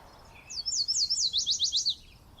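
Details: A male Yellow Warbler sings vigorously in Yosemite during nesting season: a quick, bright series of high sweet slurred notes, about eight in under two seconds, accelerating slightly toward the end.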